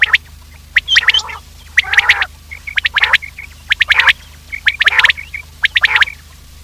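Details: Quails calling on a morning hunting lure recording: rapid triplets of sharp clicking notes alternating with short nasal, rasping bursts, roughly once per second, over a steady background hum.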